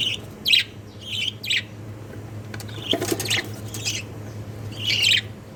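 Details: Baby jumbo budgies squawking in quick scratchy bursts, a cluster in the first second and a half and another near the end, with soft rustling between and a low background hum.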